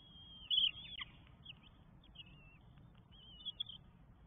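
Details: Four northern goshawk chicks being fed by an adult at the nest in Estonia on 24 May 2022: thin, high whining calls drawn out and wavering, with a brief louder squeal early on, over a low rumbling background.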